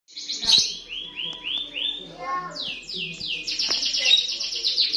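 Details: White-rumped shama song, a species said to defend its territory strongly and to mimic other birds, used as a lure to make birds sing. A run of clear rising whistled sweeps repeats, with sharper high notes and chatter mixed in.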